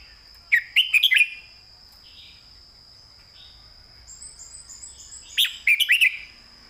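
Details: Red-whiskered bulbul singing a master song with clearly delivered phrasing. Two loud bursts of quick whistled, bubbling notes, about three seconds apart, each ending in a slurred flourish. Softer warbles fall between them, and a steady high thin tone runs throughout.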